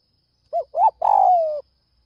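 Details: Spotted dove in early morning, calling to draw in other doves. Two short rounded coos lead into one long grating note that sinks gradually, all in a mid pitch range.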